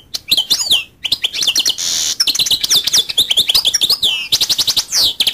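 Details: Goldfinch singing continuously for over five seconds: a fast jumble of high twittering notes, buzzy trills and sliding whistles, with a short harsh buzz near the middle and no background noise.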